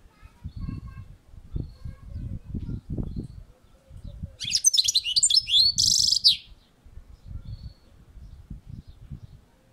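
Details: European goldfinch kept on a balcony, giving one burst of dense, high, rapid twittering song lasting about two and a half seconds mid-clip, set against steady low rumbling and knocking noise throughout.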